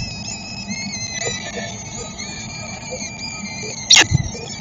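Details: Feeding time at a peregrine falcon site in Szczecin on 22.04.2021: steady high whining, wavering tones with traffic rumble beneath and a brief scrape toward the finish.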